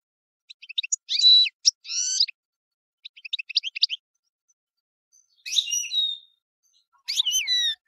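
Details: European goldfinch song runs as a lively mix of clipped tinkling notes, drawn, nasal buzzy phrases and loud, swooping, liquid twitters, in several long bursts with short pauses between.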